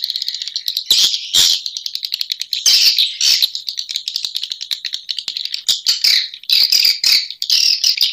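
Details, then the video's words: Swiftlet calling sound meant to attract swiftlets; continuous fast rattling clicks layered with buzzy twittering chirps, getting denser toward the end. "Suara Burung Walet Sp Mfr Burung Walet Panggil"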